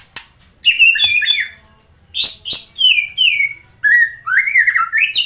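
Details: White-rumped shama song used as a lure to get other shamas singing, meant for morning and afternoon; loud rich whistles, slurred falling and rising notes with harsh chips, delivered in quick separate phrases.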